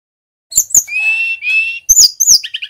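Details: Male brown-chested jungle flycatcher from Bali, Indonesia, singing energetically: a few sharp high chirps, then a long level whistle with buzzy overtones and a quick run of bright notes, with no other sounds.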